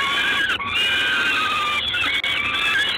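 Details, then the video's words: Peregrine falcon at Gdańsk, Poland, 3 June 2016, shortly before eight in the evening. Dense, grating drawn-out cries run through the whole stretch, pausing twice for an instant, with a noisy background. "Sokół wędrowny"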